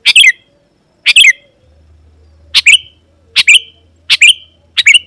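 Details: Sooty-headed Bulbul in full song, used to call opponents and lure wild birds: six short bubbly chirp bursts in five seconds, each with a quick descending flourish, over a faint low hum.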